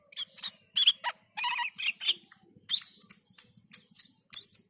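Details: Black-and-white bulbul, singing hard (gacor) and dazed (teler), delivers harsh squeaky bursts followed by a string of high, ringing whistles, each one sliding down, in regular succession.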